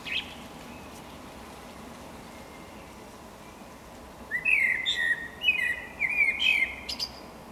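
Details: Eurasian blackbird song: after a few seconds of near quiet with a faint distant note, a rich whistled phrase starts, then breaks into quick, higher twittering and chattering trills; steady outdoor background hiss.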